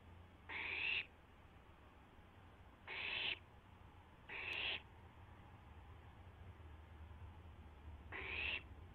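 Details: Barn owl owlet testing its wings at 12:06 AM on April 12, 2016, on a live camera. Four harsh, breathy screeching hisses of about half a second each, spaced two to four seconds apart, over a steady low hum.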